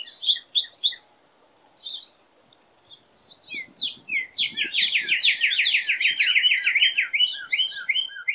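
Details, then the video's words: Northern cardinal singing: a few short down-slurred whistles, a pause, then a fast rolling run of repeated slurred notes sweeping downward, continuing to the end, with faint thin high notes above. "CARDINAL bird song chant cardinal"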